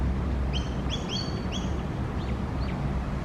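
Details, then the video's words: Young magpie foraging for worms, with a second bird nearby gathering dried grass for a nest; short squeaky upslurred chirps come in quick clusters, then two fainter single notes, over a steady low rumble of distant traffic. "A young magpie making cute sounds"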